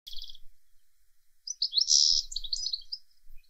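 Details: A European goldfinch sings on a windy day, a bright, tinkling run of rapid twitters and trills opening with a brief chattering burst, with faint low wind rumble beneath.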